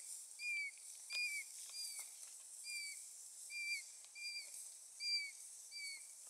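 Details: Yellow-billed oxpeckers riding on a Cape buffalo near Mopani in Kruger National Park, South Africa, on 13 November 2014; clear, thin, downslurred notes repeated roughly twice a second in a steady series, with faint insect hiss behind.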